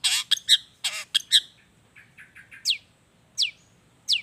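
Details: Long-tailed shrike song meant as a lure to prompt shrikes into singing: a few harsh, broad chattering bursts, then soft notes and three sharp descending whistled slurs spaced about a second apart.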